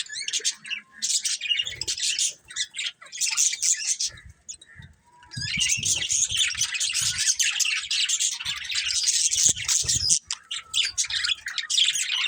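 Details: Colourful budgerigars chirping: lively scratchy twitter in long bursts with short pauses, soft low knocks and rustles in the background.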